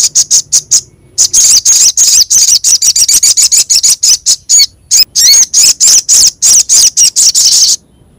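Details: Lure recording of little spiderhunter and kemade song: an unbroken, loud, high-pitched stream of rapid chipping notes and shrill twitters, with a few whistled slurs woven in.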